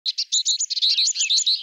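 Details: Great tit calling, a rapid series of short, high chirping notes, about ten bursts in under two seconds, bright and slightly buzzy, with no other sounds heard.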